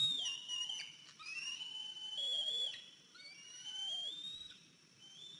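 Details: Eaglet, 103 days old, on its nest at 10:57 am on April 14, 2023, after fledging and days away, with a noticeable limp. Calling is steady and high: drawn-out whistled notes that waver and slide, with a softer lower warble beneath.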